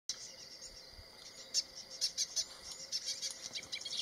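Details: Boran cisticola in Uganda, where the species is newly expanding in from Kenya, giving its distinctive call: quick, high, dry chirps in irregular bursts that grow busier toward the end, over a steady high insect-like hiss.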